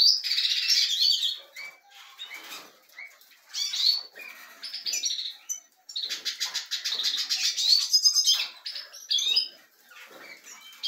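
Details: European goldfinch in captivity alongside breeding canaries gives bursts of bubbly twittering and buzzy trills separated by quieter gaps with soft scattered chirps.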